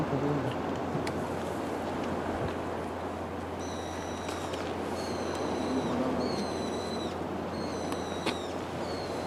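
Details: Pallas's rosefinch, 21 February 2014, Goseong-gun, Gangwon-do, South Korea: thin, high, short call notes in small clusters every second or so over a steady rushing background and faint human voices remarking on its red colour.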